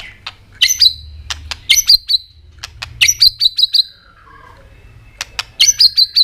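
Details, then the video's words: White-rumped shama singing with the continuous tạch style, meant to provoke other birds to sing: bursts of dry clicks, each followed by a high, ringing whistled note repeated in short clusters, with quiet gaps between. "kích chòe lửa hót cực sung.chòe lửa hót tạch liên tục kích thích chim ức chế"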